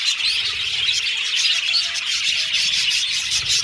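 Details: Budgerigars in an aviary singing and chirping; dense high twittering chatter from the flock, with a few faint, lower, drawn-out tones underneath.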